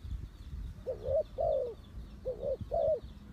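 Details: Spotted dove call used as a lure for trapping birds: four soft, mellow cooing notes in two pairs, each note slightly rising then falling, with a short pause between pairs, over faint hiss and low rumble.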